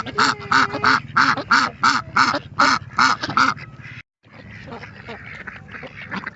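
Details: Ducks in natural surroundings give a run of about nine evenly spaced loud quacks, then a brief cut and fainter, scattered calling in the background.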